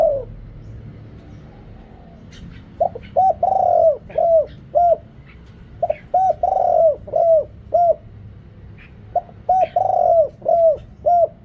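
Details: Calling spotted dove used as a decoy to draw in wild birds, a deep-voiced caller, noise reduced: bursts of short, hollow, low coos, often paired, with longer drawn notes among them, pausing between phrases; faint chirps in the background.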